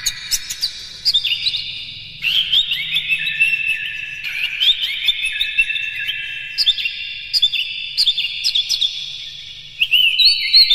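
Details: Oriental magpie-robin (kacer) in lively, nonstop song with rapid-fire mimicked fills, used as a lure to excite other kacer: bursts of high whistled and chattering phrases, each trailing into a sustained ringing echo, with several fresh bursts over the recording.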